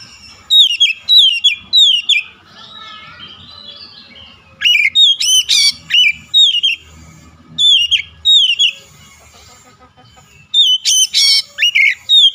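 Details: Oriental magpie-robin song as a rival-provoking lure: three bursts of loud, rapid downslurred whistles with occasional harsh rasping notes, separated by quieter warbling passages.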